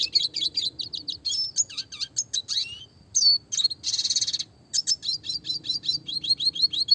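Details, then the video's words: Classic red siskin in full song, with fast close-set roll and tembak phrases for training small birds: long runs of evenly repeated high chirps, a falling slur, and a dense buzzy rattle in the middle. "burung red siskin klasik gacor suara jernih masteran burung kecil variasi roll tembak"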